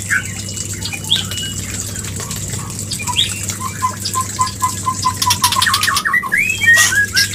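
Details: White-rumped shama mating call intended to spur breeding; a steady string of short, low whistled pips speeding up, ending in louder slurred whistles, with background hum and hiss.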